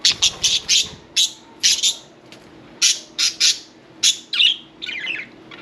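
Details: Lively pet budgerigars while one bathes: irregular streams of sharp, high chirps, some paired in quick succession, closing with buzzy, scratchy warbles.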